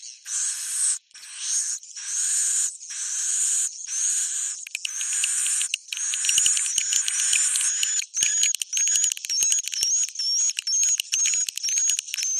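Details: Swiftlet roosting call: long buzzy chattering bursts with short gaps, shifting after about eight seconds into rapid clicking and repeated high whistled notes.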